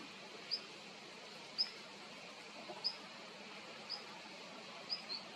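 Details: Long-tailed rosefinch calling with brief, thin, high ticks roughly once a second, six faint notes in all against constant broadband background hiss.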